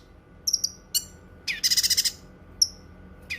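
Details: Cucak kinoi singing, a song prized for tutoring other birds and for therapy: brief high whistled notes, a harsh burst, then a rapid pulsed trill of about six beats.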